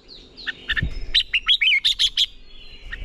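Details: Red-whiskered bulbul training song, meant to push young males into fiery fighting song. Scattered early notes lead into a loud run of about six short, bright, warbled notes. A faint steady high tone and a low rumble sit underneath.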